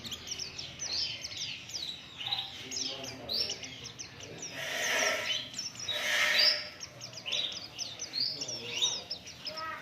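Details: Oriental white-eye song played as a lure to get caged birds singing: busy, high-pitched twittering made of fast chirps and downslurred notes, with a louder, noisier swell in the middle.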